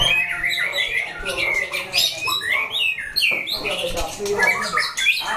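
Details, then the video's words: Several caged white-rumped shamas answer one another in a fighting test. Layered, fluty whistles and quick swooping notes come in dense overlapping phrases, with brief sharp chatter. "Chảo lửa test chim đấu (shama bird singing)"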